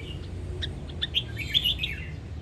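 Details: Sông Kon red-whiskered bulbul, a caged bird from Quảng Nam, sings a training phrase in "ép giọng" style. Quick clipped chirps build into a bright, bubbly warble, over steady low hum.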